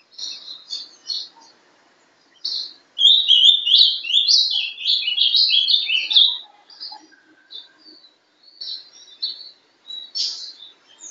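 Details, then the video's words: Paraná-style sobe e desce song from a ringed young Ultramarine grosbeak hatched 11/12/2012 and kept captive. Scattered high chips lead into a loud warbled phrase of about three seconds that swoops up and down, followed by more quiet chips. "Azulão Sobe e Desce.(Bizulão) Filhote de alta genética. Canto Paraná."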